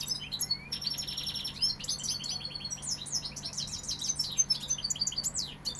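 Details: Sevillian European goldfinch singing a dense, tinkling run of rapid high twitters, buzzy trills and quick sliding notes, almost unbroken for six seconds, over a steady low electrical hum.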